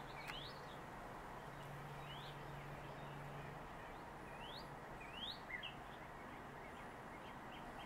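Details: At a nest site in southwest Virginia, 7 March 2021, a northern mockingbird makes sharp upward-sweeping whistled notes, spaced unevenly, with a droning low hum and faint background noise throughout.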